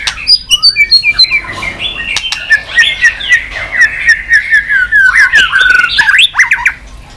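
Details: Caged white-rumped shama, roused to sing, tail-flicking on its perch: a rich, continuous run of quick warbled and whistled notes, many slurring downward, with sharp clicks scattered throughout.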